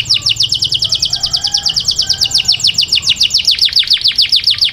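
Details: Indoor caged grey canary giving a steady, fast series of crisp down-slurred high notes, evenly repeated for the whole stretch.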